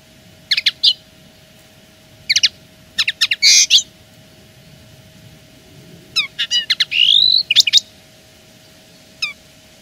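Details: Linnet song given as a territorial claim, with clusters of quick high twitters, a buzzy note and a rising then falling slurred whistle, separated by brief pauses over a constant faint hum.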